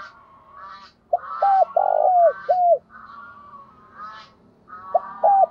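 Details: Decoy spotted dove in the 'giọng thổ' voice, calling to provoke rivals. Mellow falling coo notes come in a short run, mixed with harsher, higher honking calls from another bird before and between them.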